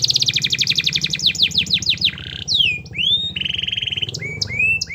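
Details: Canary singing, used to prompt a reluctant canary to sing: very fast high rolling trills that slide downward, then sweeping rising whistles, a steady buzzy note and further quick rattles, over a constant low hum.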